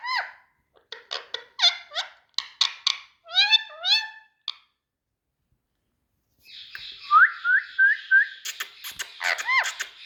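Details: Pet Indian ringneck parakeet calling: a quick series of short, harmonic chirps and squeaks, then four seconds of silence, followed by rising squeaky notes and sharper chirps over a soft hiss.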